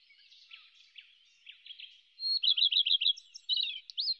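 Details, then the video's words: A Whinchat gives a short, high phrase of soft scratchy notes, then a quick run of bright, clear whistles ending on a rising note, against a quiet background. "geluid paapje"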